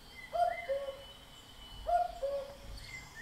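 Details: Common cuckoo calling: a clear two-note cu-coo, the first note higher and the second lower, given twice about one and a half seconds apart, with faint chirps of other birds behind.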